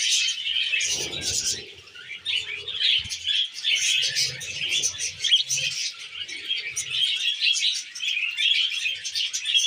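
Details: A group of tame budgies eating wheat germ fills the recording with rapid, high chattering chirps, while soft rustling and pecking noises sound underneath, strongest around one to two seconds.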